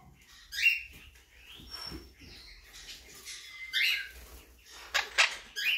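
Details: Blue mutation monk parakeet with brief upslurred chirps and a thin sustained whistle, followed by a burst of loud, grating squawks amid soft rustling and clicking.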